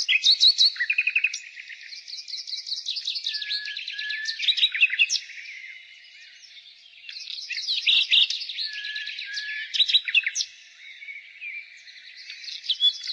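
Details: Nightingale singing in spring, two long bursts of fast rattles, stuttering repeated notes and whistles separated by a quieter gap, with dense high twittering of other birds throughout.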